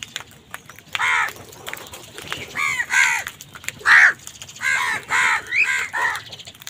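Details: Angry wild crows squabbling with other birds over food give a series of about eight rough, grating caws in short bursts, loud and close, with brief gaps of quieter outdoor background between calls.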